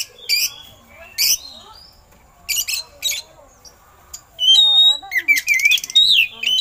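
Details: Oriental magpie-robin, whose song includes mimicked eagle calls, used for training other birds: scratchy high bursts, then wavering, rising and falling whistled phrases.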